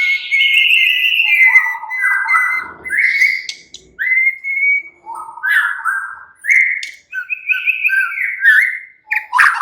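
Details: Relaxed white-rumped shama song aimed at sparking other shamas' chattering: a continuous run of clear whistles, some held level, some slurred up or down, with short breaks about every second.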